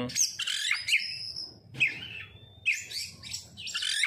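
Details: Lure song (pancingan) of kacer, the oriental magpie-robin: loud, scratchy bursts mixed with bright whistles and a long, thin, level whistle, delivered in separate phrases about a second apart.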